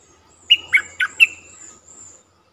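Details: Streak-eared bulbul lure call used for trapping: four quick, sharp chirping notes with slurred, buzzy edges, then a faint trailing note, with a steady high thin tone running underneath.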